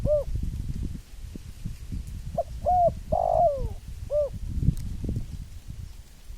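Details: Spotted dove cooing: a soft short coo, then a phrase of two brief coos and a longer, burry, falling note, and a final short coo, over steady low rumbling background noise.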